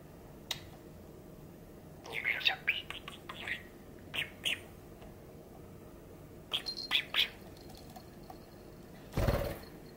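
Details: Pet male budgerigar, six and a half years old, recorded indoors on Labor Thanksgiving Day, 23 November 2021. Soft, scattered chirps and short warbled notes come in loose clusters. One sharp clattering knock occurs near the end.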